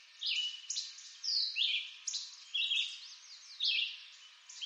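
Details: Red-eyed vireo song from eastern North American woods, a run of brief clear whistled phrases alternating up-slurred and down-slurred notes, spaced about a second apart against constant background hiss.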